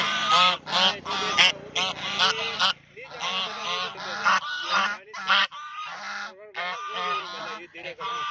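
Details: Duck playing in a pond, giving a rapid series of loud, nasal, honking calls in short bursts, several per second at first, then longer drawn-out calls with brief pauses between.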